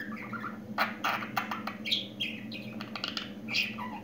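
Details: Indoor pet budgerigar learning to talk, a busy run of clicks, buzzy syllables and short whistled slurs, varied and fast, over a faint steady hum.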